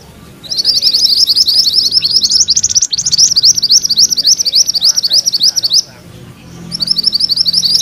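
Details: Gacor mantenan kuning in full rolling song: extended rapid runs of high, buzzy, chattering notes with short pauses between rolls.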